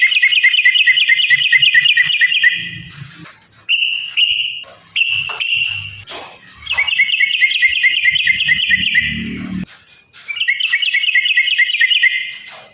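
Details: Yellow-vented bulbul in long fighting song used as a lure to make bulbuls sing: extended buzzy trills, each several seconds long, alternating with shorter whistled bursts, with brief low rustles in the gaps.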